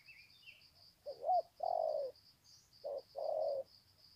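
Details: Sê San, 21 February 2020: spotted doves on the ground exchange greeting coos. Two phrases of a short wavering note plus a longer low coo. Thin bird chirps and a pulsing high insect buzz are also heard.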